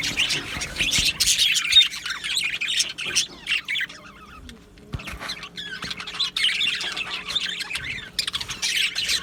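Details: Budgerigars in a colony aviary, recorded 12 July 2025, alternate loud bursts of squawky, warbling chatter with a quieter middle stretch of soft chirps, then the chorus rises again.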